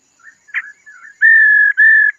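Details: Female laughingthrush calling to rouse a male: soft rising and falling warbled notes, then two long, loud, flat whistles.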